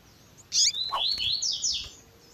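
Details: Double-collared seedeater singing the tui tui zel zel song style alongside a female's call, in a track edited to stir up males; a short series of slurred, falling whistled notes follows a bright chirp, over faint background hiss.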